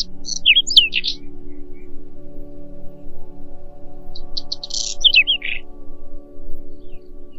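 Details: Whinchat song in short separated phrases: scratchy twitters and thin whistled squeaks, one burst early and another after a pause of about three seconds, over a steady low humming drone.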